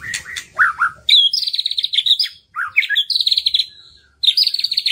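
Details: White-rumped shama singing as a lure to prompt reluctant birds to sing: short rising whistles followed by long rapid trills of sharp repeated notes, broken by brief pauses and a fresh burst of trilling.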